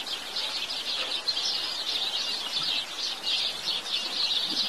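House sparrows chirp continuously in overlapping, high, clipped notes, like a busy group chattering together, with a faint hiss behind them.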